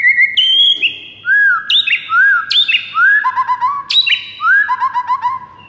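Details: White-rumped shama song used in the morning as a training recording for other shamas: clear whistled notes, some sustained and some rising then falling, in short stepped phrases with sharp high accents, on a quiet background.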